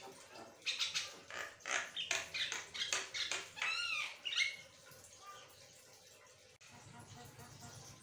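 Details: Asian pied starling chattering, rapid harsh rasping notes about two per second, then several rising and falling whistled slurs, fading into low background hum.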